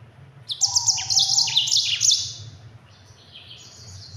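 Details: Speedy rolling song of a Mozambique yellow-fronted canary used for tutoring other songbirds: two seconds of dense, buzzy high trills with small stepped drops, followed by softer twittering phrases over a low steady hum.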